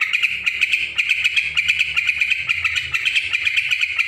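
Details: Yellow-vented bulbul heard noisily: an even, rapid rattle of bright chirps, roughly five per second, over a soft low rumble of background noise.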